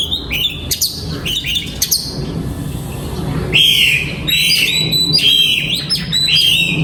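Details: Oriental magpie-robin kept in a breeding aviary, 2022: loud sharp whistles and chirps in two bursts separated by a short lull, the later notes steady, bright and repeated, over a constant low rumble.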